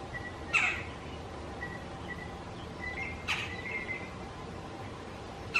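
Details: A male Red-bellied Woodpecker calling from his nest box on his territory gives three short, harsh, bright calls a few seconds apart, mating calls answered by an interested female, with faint thin whistles between over steady outdoor hiss.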